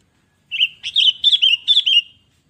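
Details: ['Sooty-headed bulbul (kutilang), in gacor style, meaning vigorous nonstop singing, as a lure recording: a bubbly run of about six quick liquid warbled notes in two seconds, each rising then falling, on a clean background.']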